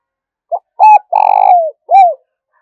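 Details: Single phrase of spotted dove cooing, urging and calling types used to excite decoy birds: a brief note, a hooked double coo, a long vibrating coo sliding downward, then one arched closing note.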